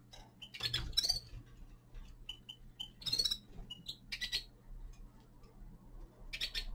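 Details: Young male common linnet singing in winter: scattered short, bright chirps and trills, spaced irregularly with brief pauses, over a low steady hum.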